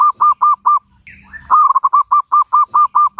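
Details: A zebra dove sings as a lure to draw replies from other birds: a run of evenly spaced, rounded coos breaks off for a brief rising note, then the quick pulsed cooing resumes, with nothing else audible.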